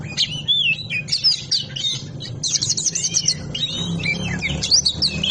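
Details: Kacer, the Oriental magpie-robin, singing 'ngobra' style for training other birds in Indonesia: looping whistled slurs and scratchy chatter in quick sequence over a persistent low humming background.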